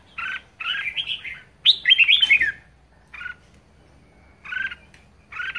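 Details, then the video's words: Red-whiskered bulbul, a caged bird singing strongly in ché style: short harsh chirps, then a fast, bubbly whistled phrase, followed by spaced, buzzy single notes repeated about every second. "Chào mào hót hay | chào mào ché hay | chào mào siêu ché"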